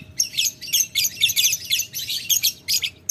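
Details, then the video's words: Lovebird calling a rival in the ngetik ngekek style: dense, rapid, buzzy high chatter in short bursts with brief gaps, continuing throughout; a faint steady hum underneath. "Lovebird Memanggil Lawan Ngetik Ngekek - Tidak Lama Labet Auto Nyaut Ngetik Ngekek Panjang"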